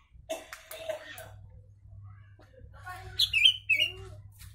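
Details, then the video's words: Bulbul song with Javan myna mimicry used as a tutor recording: scattered soft chatter, then a bright, rolling whistled phrase near the end, over a constant low electrical hum. "Kutilang isian Jalak kebo"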